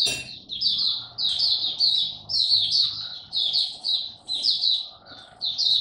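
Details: Close, loud buka song of a caged Oriental white-eye on its first supplement test day: high sweet twittered phrases repeated in quick bursts roughly every half second, with brief gaps and a faint low hum.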